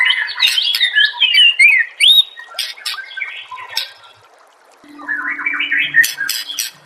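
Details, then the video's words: White-rumped shama singing a master song to set other shamas singing, with tumbling whistles and sharp chirps, a short lull, then another run of whistled phrases over a low steady hum. "MASTERAN MURAI BATU PALING DI CARI TAHUN INI || SUARA JERNIH ,BURUNG PASTI NYAUT DAN GACOR SEKETIKA"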